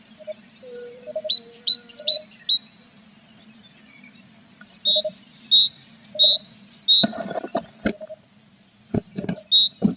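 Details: Tits at a nest box with chicks on 21 April, feathers growing; bursts of high, thin paired chirps repeated in quick runs, some lower short tones, a steady low hum and sharp knocks from inside the box.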